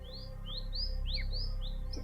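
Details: Probably a female Long-tailed Minivet calling from a tree at 5:35 am in oak-rhododendron forest, Madhmaheshwar Valley, Uttarakhand: thin, sweet whistled notes sliding up then down, about three a second, overlapping, over low rumble.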